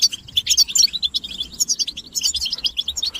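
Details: Short group twittering of European goldfinches, described as mating and readiness calls meant to trigger male song, with crisp, high, rapidly repeated chirps in two loose bursts.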